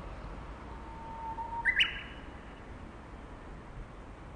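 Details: Japanese bush warbler singing from a power line: a faint, long, steady whistle followed by a quick, louder flourish of higher, sharply rising notes, heard once over steady background hiss.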